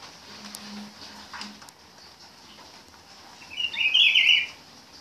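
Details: Rufous-browed peppershrike, called pitiguari, singing: after a quiet start, one short, loud, warbled whistled phrase in the upper-middle register near the end, over a faint steady hum and low background noise.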